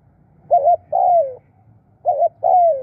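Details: Decoy spotted dove calling 'khu' and 'khrun'. Two mellow two-part coos: a brief quavering note, then a drawn-out descending note, spaced about 1.5 seconds apart over a faint low hum.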